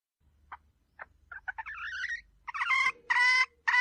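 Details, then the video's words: Female red junglefowl decoy call for luring wild fowl: scattered short squeaky notes and a wavering whistled phrase build into loud, harsh, buzzy bursts near the end, over a faint low hum. "เสียงไก่ป่าตัวเมียสำลับต่อ,suab poj qaib qus seev cuab tuaj zoo heev li"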